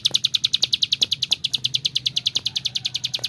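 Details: Persistent singing from a bar-winged prinia, meant as tutoring material for other birds: crisp, bright high notes fired in a rapid even series, about eight each second, across the whole stretch, with occasional soft clicks and a low hum.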